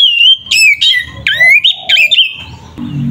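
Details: Provocative fighting song of an oriental magpie-robin: sustained bright whistled notes broken by quick sweeping slurs and rising phrases, ending with a fading whistle over low background noise.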